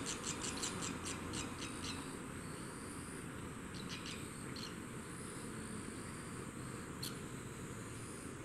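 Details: Newly hatched barn swallow nestlings on the second day of observation give faint, thin, high chirps in a quick run at the start, then a few scattered peeps, over a steady low rumble.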